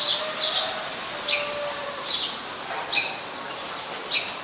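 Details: Recorded in Ubon Ratchathani, Thailand on 10 May 2020, a Eurasian tree sparrow repeats clipped chirps about every second, roughly six in all, with a faint low hum beneath.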